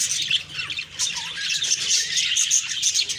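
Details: Several budgerigars chirping in the morning, rapid irregular scratchy twitters mixed with thin whistled notes and a few louder squawk-like calls.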